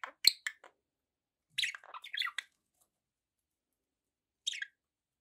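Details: Pet budgerigars give a few short scattered chirps and a brief warbled phrase, with long quiet gaps between calls.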